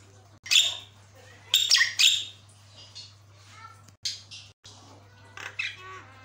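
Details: Lively Javan myna song, said to make other mynas respond; loud harsh squawks and rasping bursts separated by pauses, with fainter chatter between, over a steady low hum.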